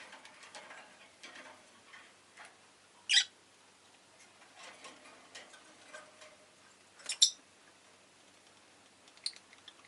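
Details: Scattered sharp chirps from a rosy-faced lovebird, two loud ones about four seconds apart, set against faint rustling and distant street noise.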